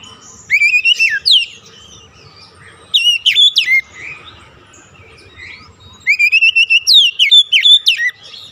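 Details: Stimulating kacer song meant to get a stressed bird that has stopped singing to sing again: three bursts of loud, rich, slurred whistles, each a fast string of falling and rising notes, separated by quiet pauses over a low background hum.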